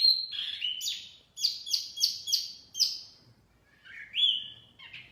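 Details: Energetic wambi mini lure song: a falling whistle, then four or five quick, evenly spaced bright descending notes, a pause, and a rising slurred whistle.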